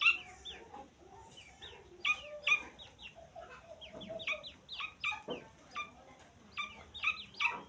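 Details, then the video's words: Peeping of a grey francolin chick: sharp, high, downward-sliding chirps in irregular bursts, with softer lower murmuring sounds underneath and light background noise. "तीतर का बच्चा आवाज़"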